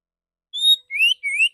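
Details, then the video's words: Male Oriental magpie-robin, a training recording with a full, open, clear voice and shot-like 'dor dor' notes: three loud, pure whistles, the first level and high, then two rising slurred whistles, after a short silence. "Terapi burung kacer jantan dor dor tembakan full suara ngeplong jernih"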